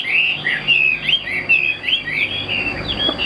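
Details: Short burst of song from a caged Chinese hwamei: bright, warbling whistles repeated in quick succession, each note bending up and down, with a steady high whine underneath.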